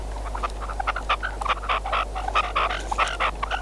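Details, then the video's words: A red-legged partridge used as a hunting decoy (reclamo) gives harsh, chuffing chuck notes in quick, uneven bursts, about one and a half per second, over a steady low hum. "Perdiz con reclamo"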